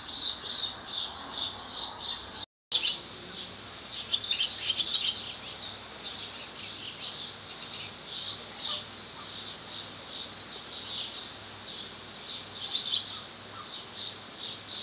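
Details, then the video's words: Barn swallow male singing beside its nest with mate close by, Lesvos, Greece, May 2014: bouts of high, buzzy twittering, a brief dropout early on, then softer scattered chirps and renewed chatter later. "Singing Swallow"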